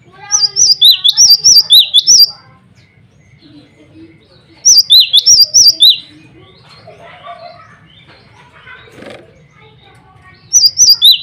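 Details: Cinereous tit male calling rivals and females: loud rapid runs of sharp, sweet two-tone whistles, three bursts about two seconds long separated by quieter gaps with faint background chatter.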